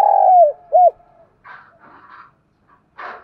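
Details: Morning calling by a decoy spotted dove used to draw in wild doves: a long soft coo falling at its end and a short clipped coo, followed by faint rustling and scraping noises.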